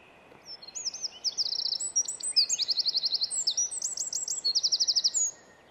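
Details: Eurasian (winter) wren (Troglodytes troglodytes) singing in Estonia: a loud, very high, fast outpouring of tinkling notes and buzzy trills lasting about five seconds, over faint background hiss.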